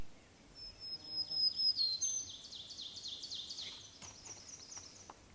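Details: Black-throated Green Warbler on breeding territory gives a real buzzy "ji ji ji ju ji" song over faint birdsong and hiss, in mixed deciduous-coniferous woods at Sax-Zim Bog on a foggy, hazy morning, 24 May 2020.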